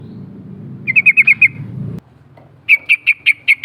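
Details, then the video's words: Sooty-headed bulbul, an untrained bird, in ngerol (rolling) style song used as a lure: two quick bursts of five to six bright chirping notes, with a low rumbling background in the first half. "Suara ngerol panggilan trucuk bahan"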